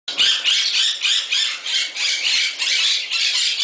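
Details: Caged Moluccan cockatoo kept as a pet in an avian shop in Summerville, South Carolina, playing: a continuous run of harsh, loud, broadband squawks repeated about three times a second.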